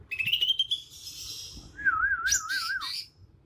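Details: Young Kalimantan leafbird moulting into adult plumage, in its natural song: a rasping buzzy note, then a long wavering warbled whistle that ends in high chips.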